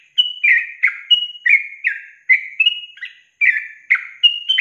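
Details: Yellow-vented bulbul singing a long trill, the style called ropel panjang, recorded as training material for songbirds: bubbly, slurred whistled notes dropping and rising in quick succession, about a dozen phrases with short pauses.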